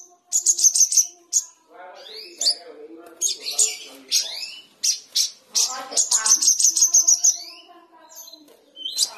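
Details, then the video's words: Sooty-headed bulbul in lively full song, meant to provoke another, silent bulbul: loud bursts of bright, rapid high trills and chirps mixed with lower slurred whistles and rising sweeps, the phrases broken by short pauses. "SOGON GACOR MEMANCING EMOSI SOGON BISU"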